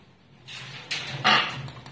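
Blue-and-gold macaw chicks give harsh, raspy squawks in three quick bursts, each louder than the last, over a faint low hum.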